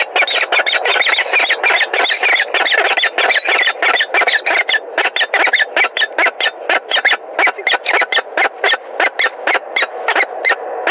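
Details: Peregrine falcons in Montreal, 16 February 2017: a harsh, scratchy series of rapid repeated notes, about four or five a second, without pause through the whole stretch.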